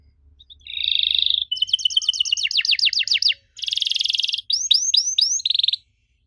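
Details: Canary lure song to make young birds respond: a buzzy roll, a stuttering series of sharp descending notes, another buzzy trill, then a few rising whistled chirps and a final buzz.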